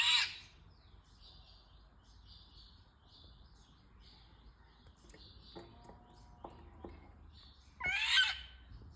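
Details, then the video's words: Indian golden oriole's harsh, cat-like call opening and closing the stretch, with faint whistled notes of other birds and a few soft clicks in between. "Indian golden oriolus birds"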